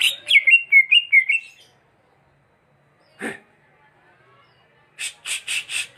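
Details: Greater green leafbird giving a quick run of bright, slurred whistled notes that step downward, followed after a pause by a dry scratchy burst and a series of four or five rapid harsh rasping notes.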